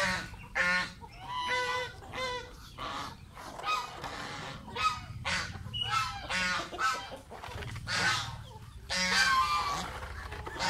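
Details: Pet geese, eating mango, honk in loud, nasal, harmonic bursts, roughly one per second, with some quieter chatter between the calls.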